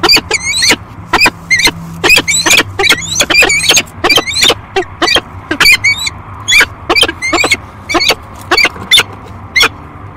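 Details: Nesting pair of peregrine falcons at Great Spirit Bluff, filmed by nest camera on 13 March 2022, calling loudly in a rapid, harsh series of ringing notes, roughly three per second for ten seconds, with faint hum beneath.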